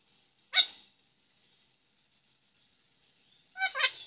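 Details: A talking parrot gives one sharp, brief utterance, falls silent for nearly three seconds, then adds a short two-part phrase.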